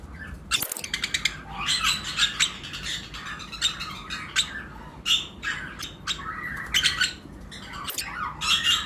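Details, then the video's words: In a flight cage, breeding-season lovebird pairs of various mutations give bursts of piercing chirps and squawks, rising and falling in loudness, with two sharp knocks. "Lovebirds Chirping Sound"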